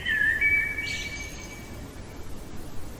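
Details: Night-singing common blackbird: a short fluted note sliding into a thin, sustained high whistle that fades out, with soft background hiss.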